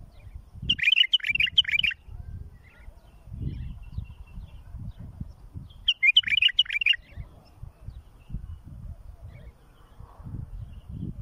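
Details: Bulbul song used for tutoring young birds and fledging chicks: two short bursts of fast, chattering, warbled notes, each about a second long and several seconds apart, over low rumbling background noise.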